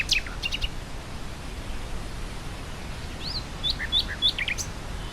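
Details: Nightingale in grassland with wind: a sharp opening note and brief clicks, then a string of bright, rising and falling whistled phrases over a soft, continuous wind rush.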